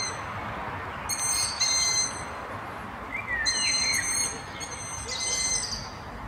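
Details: Evening begging whistles of young Long-eared Owls calling from town trees, including a spruce, in Martin: high, thin, harmonically rich squeals, each under a second, coming in irregular pairs and groups roughly every two seconds.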